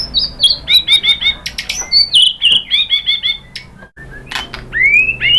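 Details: White-rumped shama song used as a lure to make another bird answer and sing: rapid run of high, bright whistled notes in repeated doublets, sharp clicks between, then a short pause and a rising whistle.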